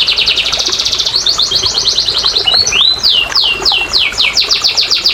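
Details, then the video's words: Canary singing to encourage silent canaries: quick pulsed trill, a few rising whistles, then a regular run of downslurred notes about five per second. "TERAPI & PANCINGAN BURUNG KENARI MALAS BUNYI"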